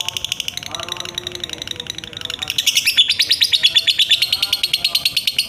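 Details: Lovebird 'ngekek' song for training songbirds: softer chattering at first, then from the middle a loud, fast, sustained rattling trill of sharp high notes.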